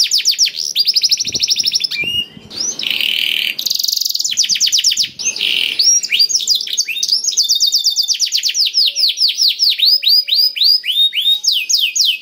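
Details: Black-throated canary singing to encourage other canaries to sing: fast trills of repeated sweeping notes, two harsh buzzy passages early on, then long steady rolling trills.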